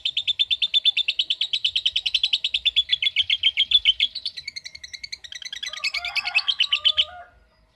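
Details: Lovebird singing the long ngekek song in ngetik style: a rapid, continuous chatter of high chirps lasting about seven seconds, breaking into rougher, varied notes near the end before stopping.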